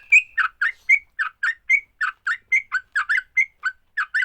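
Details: A sooty-headed bulbul's fighting song, said to set other bulbuls singing quickly: clipped, throaty notes alternating with short level whistles, about four per second, evenly spaced and clean of background noise.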